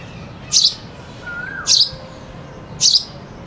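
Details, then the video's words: Sparrow, with a cuckoo singing in the background: three bright, high chirps spaced about a second apart, with a faint falling whistle between them. "sparrow bird sound (with cuckoo singing in the back)"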